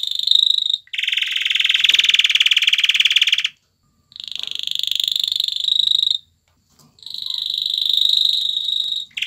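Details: Courting male canary dancing around a female to stimulate her to mate, delivering three long rapid rolling trills of two to three seconds each, separated by short pauses, bright and buzzy throughout.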